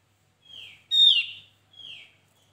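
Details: Javan white-eye lure recording for trapping, a short phrase of a soft descending whistle, a loud bright downslurred note with stacked overtones, and a softer closing slur.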